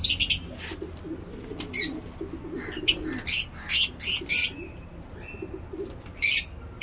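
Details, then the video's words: Lovebirds in a breeding cage chirp in rapid, harsh bursts, some notes paired or clustered, a run of loud chirps in the middle then a final burst near the end, over low background hum. "Lovebird chirping"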